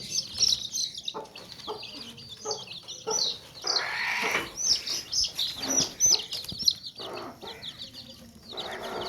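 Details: Baby chicks in a tokri basket with clucking hens: a dense, continuous chorus of shrill, high chick peeps and tweets, broken by occasional deeper, rougher hen clucks and rustling.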